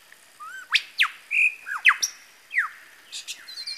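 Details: Male lyrebird at Masons Falls, Kinglake National Park, mimicking various birds: a rapid medley of sharp descending whistles, rising slurs and a brief level whistle, with varied notes packed into a few seconds.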